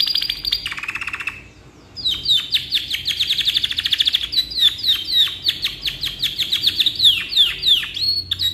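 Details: Canary delivering long, lively song used for tutoring other birds: opens with a high note and a lower buzzy trill, a brief pause, then sustained rapid repeated downswept chirps with rolling trilled passages.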